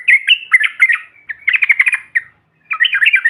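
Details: Trucukan recording of a group of yellow-vented bulbuls, used to rouse other birds: lively warbled chatter, then a run of quick stuttering notes, a brief silence, and renewed bubbling phrases.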